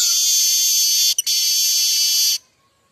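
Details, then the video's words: Streaked weaver (manyar kembang) singing in the sizzling 'mbeset' style used as tutor song for other weavers: a loud, dense, continuous buzz about one second long, a brief break, then another buzzy stretch that stops abruptly. "burung manyar pancingan mbeset"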